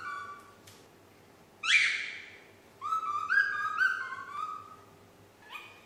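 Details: Pet parrot, a nine-month-old female still learning to whistle Yankee Doodle: a brief whistle, a loud rasping screech, then a run of clear whistled notes rising and falling in steps, ending with a short whistle.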